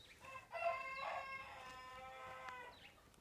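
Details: Frizzled Pekin bantam hen, one of two blue-mottled-white females that have started laying after moulting. A sustained, droning, harmonic call of about two seconds swells at the start and fades at the end.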